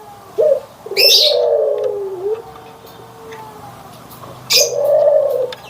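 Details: Barbary dove, white and brown birds compared: a low purring coo trailing into a long faint level tone, then another short coo after a pause. Brief high twittering from other birds overlaps.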